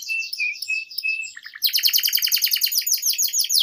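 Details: Canary singing at length as a lure and tutor for young canaries: soft warbled high notes, then a bright, rapid series of short descending sweeps repeated many times a second.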